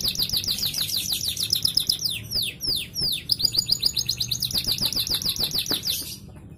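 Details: Canary singing to stimulate other canaries into song: continuous fast high trills interrupted by several loud falling whistles, then a long even rolling trill that fades out abruptly.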